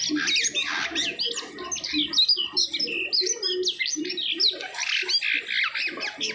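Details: Asian pied starling after moulting singing a dense, fast medley of varied whistles, squeaky chirps and harsh chattering notes, closely packed and almost continuous, with a low murmur underneath.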